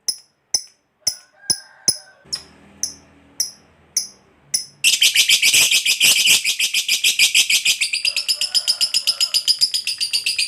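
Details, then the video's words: Lovebird ngekek, a long chatter used to draw replies from other lovebirds: a few separate sharp chirps at first, then a sudden continuous burst of fast, rasping high-pitched chatter that carries on to the end. "Suara Burung Lovebird Ngekek Panjang JAGO Memancing BUNYI, Hitungan Menit LB DIAM Langsung NYAUT"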